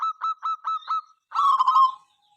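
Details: Local zebra dove singing, heard morning, noon and night and said to set other birds singing: a run of five short even coos followed by a longer rolling burst.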